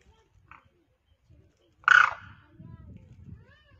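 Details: One demoiselle crane on the ground calls to birds in the air: a faint short note, then a single loud, coarse rolling call, followed by low background rumble.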